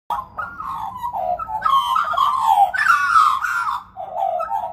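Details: Australian magpie carolling in rich, warbling phrases that rise and fall around a mid pitch, flowing almost without pause, with slight echo, heard on opening a front door.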